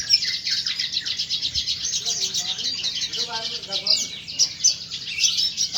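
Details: A red siskin sings busily: rapid, high, rattling twitters and sweet chirps, with brief lower nasal notes midway and a few sharp whistled accents near the end; a quiet background hum.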